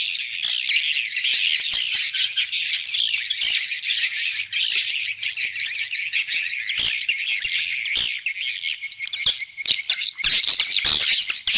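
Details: Playback of swiftlet roosting calls to attract the birds to a three-storey house: a constant, thick chorus of shrill twittering and rasping chirps, with crackling clicks growing more frequent near the end.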